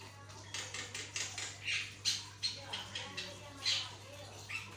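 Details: Javan myna singing strongly, used to prompt other mynas to sing: a steady series of harsh, rasping notes roughly twice a second, mixed with short high whistles, against a constant low hum.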